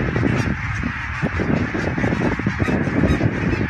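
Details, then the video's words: Greylag geese by the thousand passing over the Elbe dike near Wedel, Hamburg, on 12 April 2020, phone recording: loud, crowded honking chorus, many birds calling at once in a steady clamour, with low rumbling noise. "Schwarm von Tausenden von Gänsen an der Elbe bei Wedel"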